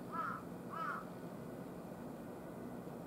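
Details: Wild carrion crow on a hot August 14 morning, one of three at a utility pole, gives two drawn-out, hoarse caws about half a second apart, then only low background hum.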